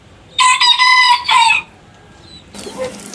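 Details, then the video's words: A single rooster gives a quick, punchy crow in several loud harmonic bursts over about a second, followed by quiet background and faint noise. "Rooster Crowing - Rooster Sound Effect - Gà Gáy - Gà Trống - Tiếng Gà Gáy - Con Gà Gáy"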